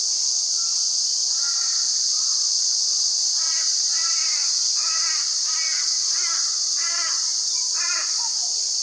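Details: A male Australasian figbird at Hervey Bay, Queensland, repeats short, harsh, nasal notes about every two-thirds of a second over a steady high insect drone.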